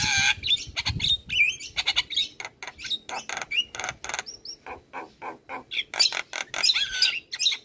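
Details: Champion Javan myna singing a master track meant to make other birds join in: fast chattering notes, clicks and short whistles tumbling together, with a rough burst at the start and continuous lively delivery.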